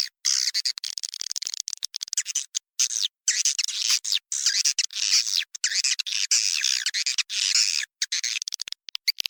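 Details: Crowded swiftlet chorus from a swiftlet house, used as the Raja Liur calling sound: sustained high, rasping twitters and rapid chirps from many birds, with frequent brief silent cuts throughout.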